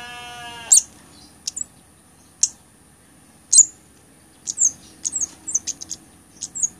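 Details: High-pitched, sharp chips from a blood-breasted flowerpecker, a recording meant for tutoring other songbirds and attracting birds. Isolated ticks open, then a quickening run of brief squeaky notes. A short buzzy tone is heard at the start.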